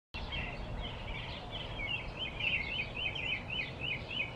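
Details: Blue-throated flycatcher recorded in the field in Arizona: a rapid series of short, wavy, high whistled notes running for about four seconds over a steady low rumble of background noise.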